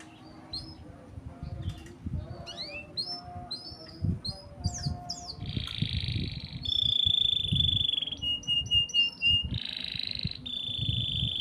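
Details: Canary singing right after being taken out, opening with quick chirps and sharp upslurred notes, then shifting into long buzzy trills and rolling rattles held at a steady high pitch, over a low rumbling background.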